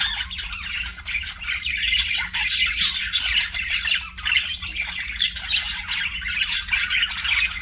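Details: Kissing sounds of a pet budgerigar: a busy, nonstop stream of raspy squawks, chirps and clicking notes, with a low steady hum behind.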